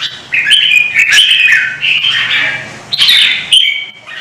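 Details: Loud, sustained warbling from a caged red-whiskered bulbul in a Vietnamese song duel, slurred whistles running together, then a final rising, bright phrase.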